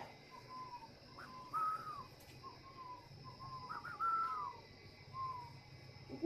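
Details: Captive spotted dove at a bird farm in Ba Vì, Hanoi, Vietnam, still cooing strongly while moulting. It gives short soft notes followed by a louder, higher, drawn-out falling coo, with the phrase repeated twice over steady background hum.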